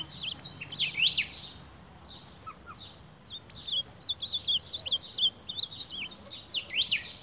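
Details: An ultramarine grosbeak battling its mirror reflection: a burst of high, squeaky sweeping notes, a quieter pause, then a quick, irregular series of thin chirps and twitters.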